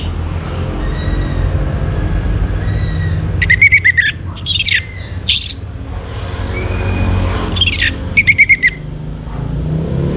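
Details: Orange-headed thrush recorded in the morning to bring birds into breeding condition: two short bursts of loud, sharp whistled and falling notes separated by a quiet gap, with a faint steady whistle and low rumbling background.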